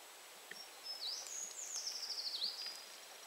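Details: Eurasian treecreeper song: one very high, thin, trilled phrase lasting under two seconds. It rises, wavers along, then falls and ends in a short dip, over faint background hiss.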